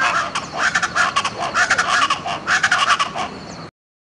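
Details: Speckled chachalacas (Ortalis guttata) at Buena Vista Peak, East Andes–Llanos, in June, calling in a loud, harsh, rhythmic chorus of grating, cackling notes, pulsing several times a second for nearly four seconds.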